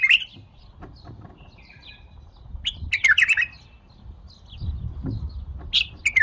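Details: Bulbul song: scattered short, bright chirps and a few whistled slurs, with louder clustered notes near the middle and end, over low rumbling background noise.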